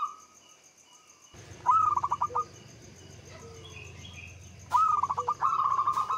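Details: Local Javanese zebra dove singing to stimulate other doves: after near-silence, stuttered pulsing notes, a low sliding coo, then a burst of clicks leading into a long vibrating phrase, with a steady low background hum.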